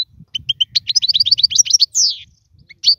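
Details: European goldfinch kept alone in a cage, singing as a tutor for young birds; a fast run of liquid twittered notes speeding into a trill, then a descending buzzy slur and a final bright whistle.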